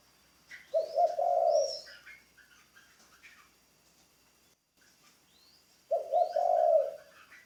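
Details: Spotted dove kept as a decoy bird in training. Two deep, mellow coo phrases are spaced about five seconds apart. Soft chirps and twitters from other birds fill the gap.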